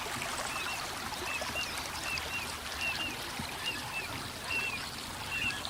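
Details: Little ringed plover, two to four birds calling while flying in circles over a river on 3 May 2015, recorded with a Canon PowerShot SX60 HS; short, thin, high notes, often paired, repeated about once a second over steady rushing water.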